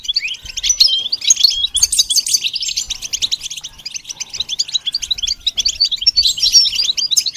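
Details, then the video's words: Goldfinch in continuous song, the varied musical voice of a bird trained to sing: a long, dense stream of high twittering notes, fast buzzy trills and sharp chirps without pause. "The basics of training the goldfinch to sing"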